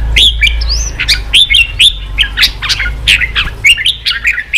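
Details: Red-whiskered bulbul song played to goad birds into fighting and loosen their voices: bright, liquid whistled phrases, some rising and some falling, come in quick bursts about twice a second over a steady low hum.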